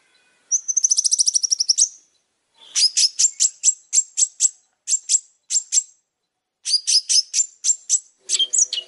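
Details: Long-tailed shrike singing vigorously: a fast rattling trill of high notes, then bursts of sharp buzzy chips in short groups separated by brief pauses, ending with a lower harsher note.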